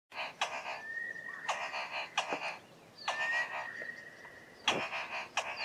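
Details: A Southern boubou calling from thick bushes in a valley gives its 'car starting' call: harsh, grinding rasps in short bursts, like an engine turning over, with a thin level whistle drawn out between them.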